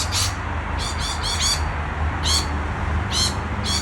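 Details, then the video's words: Excited lorikeets giving short, harsh screeching squawks in uneven bursts, some doubled or tripled, over a steady low rumble. "A super excited lorikeets"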